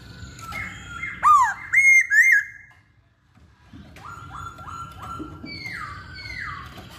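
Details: Masked laughingthrush singing vigorously: a few loud, clear whistled notes that bend up and down, a short pause, then softer repeated slurred whistles and a descending pair of phrases, over a low background hum.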